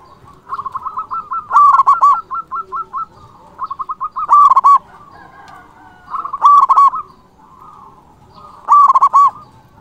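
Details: Local Zebra dove with a loud, emotive song meant to lure and excite rival doves: repeated phrases of fast soft coos, each closing with a loud bubbling trio of ringing notes, about four phrases in ten seconds.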